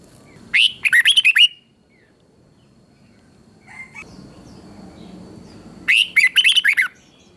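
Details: Red-whiskered bulbul song from Thailand, a southern master-style phrase played to excite other bulbuls: two bright, warbling bursts of quick rising and falling notes, each about a second long, separated by roughly four seconds of quiet background.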